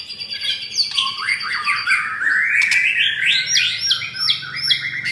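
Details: Mottled-breasted F4 White-rumped shama, caged in Jakarta, Indonesia, singing rough-material song: a swooping downward whistle, then rising warbles and a fast series of repeated sharp upslurred notes.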